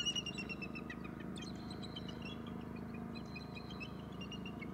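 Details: Calls of bald eagles at their nest, a male among them: bursts of high, squeaky, chattering notes repeated in quick runs, with a constant low background hum throughout.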